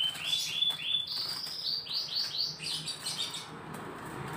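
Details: Three-month-old captive young canary of a two-blood line from imported Scotch Fancy and Lizard canaries, learning the ngeriwik trill: rapid series of short rising chirps, about three per second, fading toward the end into faint noise.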